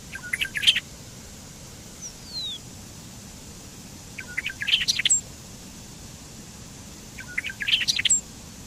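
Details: Short bubbling phrases from a Bobolink (Dolichonyx oryzivorus): three bursts of rapid, tumbling metallic notes, each ending in a high squeak, spaced about every three and a half seconds with quiet gaps between, plus one faint falling whistle.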